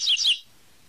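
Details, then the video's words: Double-collared seedeater singing its 'tui tui' song type: two quick, high, bright notes in a brief clear phrase, followed by near silence. "COLEIRO CANTO TUI TUI"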